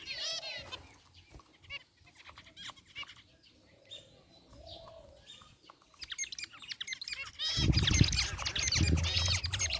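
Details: Aviary zebra finches, a group including a rare white one, chirp at the start, fall mostly quiet, then break into a loud, busy flurry of overlapping calls with low rustling or flapping sounds near the end.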